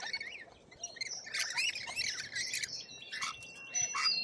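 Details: Australian lorikeets squawking together, rough screeching notes piling up in dense bursts, with a couple of steady high whistled tones near the end.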